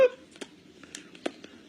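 An African grey parrot gives a short voiced, speech-like syllable, followed by a few soft clicks and snaps in a quiet room.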